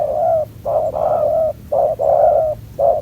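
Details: ['Spotted dove, a fierce young wild bird without its full neck spots, calling at a decoy trap on the ground: a rhythm of short then long resonant coos, repeating quickly.']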